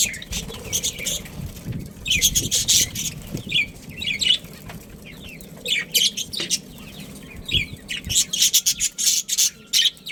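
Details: Pair of breeding budgerigars producing rapid runs of high, curved chirps and chattering warble, broken by short pauses and harsh rattling clicks.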